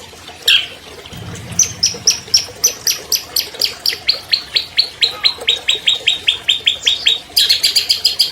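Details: Albino long-tailed shrike, a captive champion of 2020, in long clear song used to prompt silent shrikes: a sharp note, then a long, even series of thin downslurred notes, ending in quick chatter.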